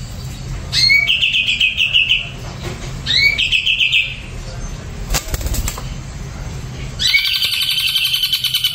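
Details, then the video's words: Ashy drongo given a doping product: two rising whistles leading into fast buzzy trills, then a burst of wing flapping, and another loud rapid trill. "SRIGUNTING ABU KENA DOPING PRODUK SEREM"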